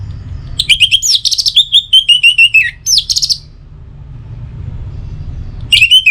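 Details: Orange-headed thrush singing, meant as a lure in the morning and evening to bring other birds into song: a long flowing phrase of rapid whistles and slurred trills, then a brief final burst.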